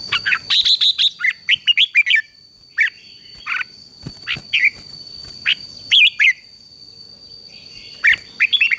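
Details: Red-whiskered bulbul singing to train a wild-caught bird: dense runs of lively, warbled and whistled notes in several bursts with short gaps, some harsher chirps, over a steady faint high-pitched tone.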